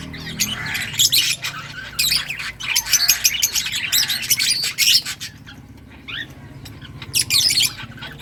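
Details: Lovebirds of many colours chirping and singing: dense bursts of sharp, high chattering chirps and squeaky notes in rapid clusters, pausing briefly around the fifth to seventh second before another burst, with soft background hum.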